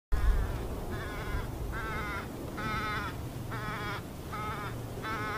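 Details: Crow at Iona beach on a Tuesday afternoon, 4 July 2017, chasing a bald eagle: harsh, raspy caws repeated roughly every second, each short and evenly spaced, over a low steady rumble of wind or traffic.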